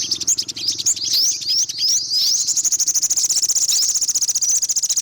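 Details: Olive-backed sunbird giving rising slurred chips that speed into a long rapid even trill, with a low steady hum underneath.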